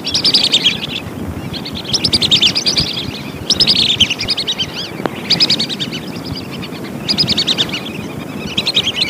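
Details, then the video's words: Lesser whistling duck lure calls: rhythmic bursts of high, twittering whistled notes, each cluster lasting about a second and recurring every couple of seconds, above a continuous low rumbling background. "suara burung belibis"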